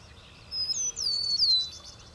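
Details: Eastern meadowlark song: a few clear, slurred whistles sliding downward from high to somewhat lower pitch, the last note the longest and loudest, over a quiet background.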